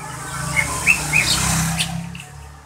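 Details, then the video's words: Daily song of a greater green leafbird, a prize-winning bird: a quick run of short, clear whistled notes with a few sharp upswept chirps, over a steady low hum. "Suara harian cucak ijo"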